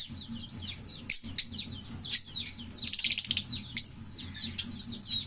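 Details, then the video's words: Green Fischer's lovebird pair in song: many quick downslurred whistled chirps tumbling over each other, with a few loud sharp squeaks and a brief buzzy rattle. "Lovebird Singing & Chirping Sounds - Green Fischer Pair"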